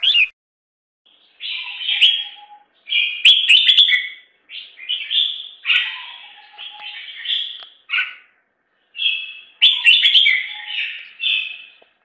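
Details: Bulbul chicks being fed by their mother: bursts of high, harsh chirps with rapid squeaky notes, coming in clusters separated by short silences, no other sounds.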